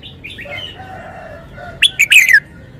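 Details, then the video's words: Softer bird notes and whistles lead into a loud red-whiskered bulbul phrase of sharp clipped notes and a quick descending warble, sung in wild-style song fashion. "นกกรงหัวจุก 292 เพลงป่า แกนโต"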